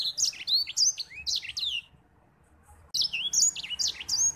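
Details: White-rumped seedeater in full song for teaching other birds: quick, high, sweet whistled phrases with downward-curving slurs, a short silence midway, then another lively burst of rapid twittering notes.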